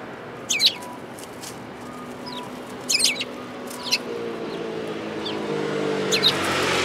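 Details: Sparrows coming to be fed on the front approach of a Tenmangu shrine, recorded 4 February 2022; short high chirps come in bursts near the start, at about three seconds and near the end, over steady background hum.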